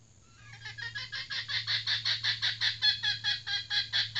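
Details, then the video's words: Female red junglefowl used as a trapping decoy (pikat betina) builds into a fast, steady run of about fifteen harsh, rasping clucks, roughly two or three per second, growing louder over a faint constant hum. "Ayam Hutan Pikat Betina"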